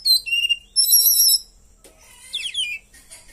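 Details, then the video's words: White-rumped shama kept in a cage and trained with cililin song fill: a series of pure high whistles and a buzzy high trill, then a quick twittering run of descending notes. "KACER GACOR,ISIAN CILILIN MANTAPJIWA"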